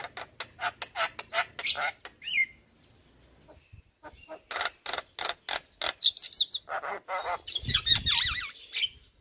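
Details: Javan myna, a white-eyed form, singing as lure audio to prompt reluctant birds to sing: a rapid run of harsh, clicking bursts, then a pause, then squeaky notes and bright slurred whistles toward the end.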